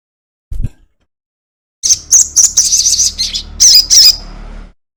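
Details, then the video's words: Crested jay, local name sogon, in a long 'ekek panjang' lure recording meant to make other birds sing: after a brief low thump, a run of shrill, high, rapid chattering notes in quick bursts for about three seconds. "pancingan sogon ekek panjang"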